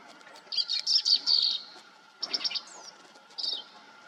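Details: Bright, rapid trilled phrases from a green-tailed towhee in brushland of Texas or New Mexico. A long buzzy trill comes first, then a shorter burst, a thin slurred whistle, and a final brief trill, each separated by silence.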